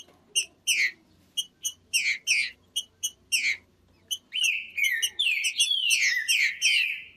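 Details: Green-winged saltator, or trinca-ferro, opens with a series of sharp ringing chips and burry double notes, then breaks into a loud, continuous, warbled, whistled phrase lasting nearly three seconds.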